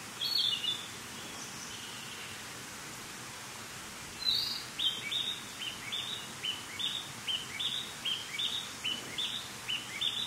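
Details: Narcissus flycatcher song: after a quiet start, a fast string of clipped, high whistled notes with flat tops and quick upward slurs, delivered in a lively rhythmic series against faint outdoor hiss.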